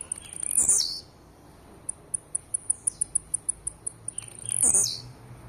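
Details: Blue-black grassquit singing aggressively: two loud, high, buzzy notes sweeping downward, about four seconds apart, with a quick run of faint sharp ticks in between and a low background hum.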